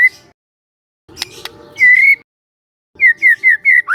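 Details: Young forest white-rumped shama on a relaxed lure recording: a short note, faint clicks, then one long steady whistle, a pause, and four quick falling whistled notes, all on one pitch, ending in a rising slur.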